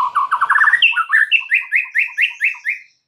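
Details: Lively white-rumped shama singing a rich, varied song meant to prompt stressed or silent shamas; a rapid stuttering run of low chips climbs into a rhythmic series of ringing, slurred notes about five per second, ending abruptly.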